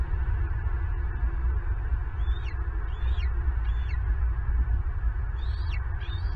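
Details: Southwest Florida bald eagle at the nest during an intruder stealing a turtle meal, captured by a nest camera. Brief quiet wind, then short bursts of high descending whistled notes in two groups of three or so.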